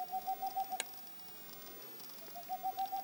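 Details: Boreal owl hoots in quick, evenly spaced notes. One run ends early, with a single sharp click, and after a short pause another run of rapid, level hoots starts up.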